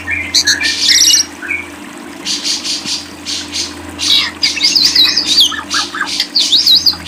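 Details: Lovebird singing with buzzy bursts and chirps, later a wavering, quavering warble rising and falling quickly, over a faint background hum.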